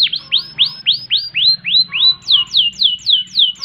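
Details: Canary in long gacor song, ngerek and ngerol style for tutoring birds: about fourteen rising-then-falling swooping whistles repeated roughly four per second, steady and even, with a faint low hum behind.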